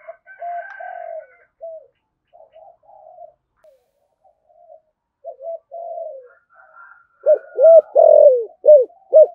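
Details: Spotted dove with a thổ sấm voice doing rapid cooing and calling. Soft, scattered, level coos and a faint higher chatter lead into a loud closing burst of rapidly repeated hooked coos.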